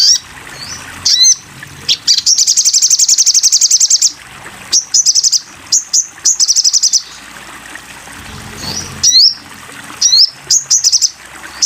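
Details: Crimson sunbird song used for training cage birds: high sweeping chirps, then a long rapid trill of thin ticking notes, followed by more short whistles and brief trills in a lively, varied sequence.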